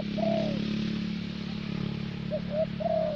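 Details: Spotted dove decoy, the thổ bầu type favoured for luring in Vietnam, delivers a long mellow falling coo, then a pair of quick hoots and another sustained coo, with a steady low drone behind.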